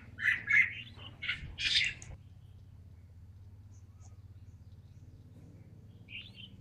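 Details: One red-whiskered bulbul, called a talented bird, gives about two seconds of loud chirpy warbled notes, followed by near silence with a steady low hum and one faint distant note.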